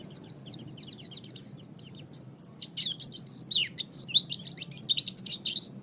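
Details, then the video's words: Master song of the oriental white-eye for pet bird training: quick high ticking notes at first, building into a loud jumble of sweet slurred whistles and twitters, over soft low room noise. "MASTERAN GACOR - Suara Burung Pleci"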